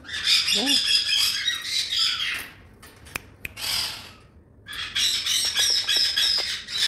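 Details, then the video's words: A macaw gives harsh, grating squawks in two rapid bursts, split by a brief quiet pause with a few clicks. "macaw parrot"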